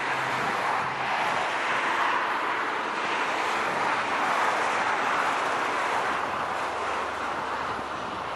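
Continuous broadband roar of passing vehicles and wind outdoors, with no animal calls standing out.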